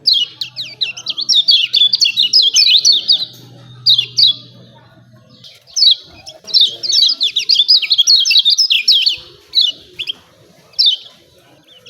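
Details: Kecial kuning, the lemon-bellied white-eye, in 'ciak ciak' style used to provoke birds: repeated bursts of quick, shrill twittering notes in several phrases, with a soft low hum in the first few seconds.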